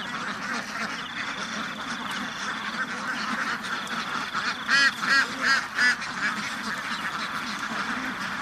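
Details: Many ducks on a duck farm, a steady, busy murmur of overlapping quacks throughout, with four short, sharper, louder calls grouped near the middle and a faint high, even tone drifting in the background.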